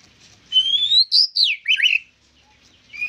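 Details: White-rumped shama singing actively: a clear whistled note rising slowly, then a burst of high slurred whistles sweeping down, with a quiet pause and a fresh rising whistle at the end.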